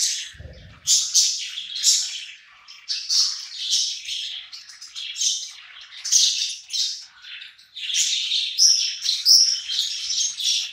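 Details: Hungry budgies eating side by side, keeping up a steady stream of harsh squawky chirps and chatter, a low thud at the start.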